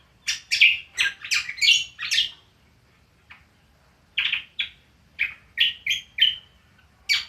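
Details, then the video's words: Cucak kombo ngriwik song: rapid runs of loud, bright chirps and buzzy notes, a brief pause, then another rhythmic series of sharp tweets. "BURUNG CUCAK KOMBO NGRIWIK PALING ISTIMEWA"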